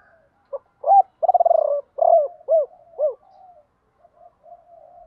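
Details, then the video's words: Lure call of a decoy spotted dove in the 'gọi ba hậu' style: mellow coos lead into a rapid purring trill, then three distinct down-slurred ending notes, followed by faint murmurs. "Chim cu gáy mồi gáy gọi ba hậu, nhiều anh em bảo là bổ ba"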